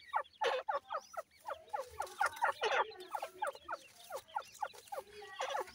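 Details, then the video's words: Fighting grey francolin chicks: a busy chorus of high, squeaky, downward-sliding peeps and chattering notes from several birds, in clustered bursts with brief quieter gaps. "grey francolin chicks fighter"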